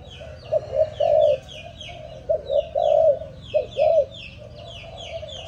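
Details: Seven-month-old Malaysian spotted dove, offspring of a stammering-style decoy bird, repeating short cooing phrases of two or three notes ending in a longer held coo, three phrases in all, with busy high-pitched chirps from other birds throughout.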